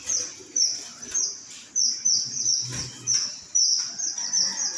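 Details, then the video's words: Strawberry finches giving thin, very high chirps in quick bursts, several notes close together, then pauses; soft broadband knocks and rustles between bursts. "Strawberry Finches Sound"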